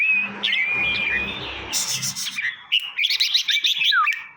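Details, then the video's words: Red-whiskered bulbul song from Trang province, Thailand, for exciting caged birds: whistles over a low rumbling background, then a hiss of noise and a rapid burst of bubbly chattering phrases. "เสียงยั่วนกกรงหัวจุก ให้คึก"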